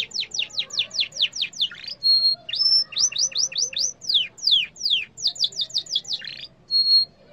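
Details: Yellow canary in full song: fast series of high downsweeping notes, rapid trills and short steady whistles run together almost without pause, with a faint low hum underneath.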